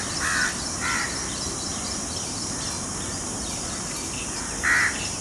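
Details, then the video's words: An Indian peafowl, among peacocks displaying their feathers to a peahen outdoors, gives three loud, nasal, wailing notes, two close together at the start and one near the end, over a steady background hiss. "Peacock Sounds"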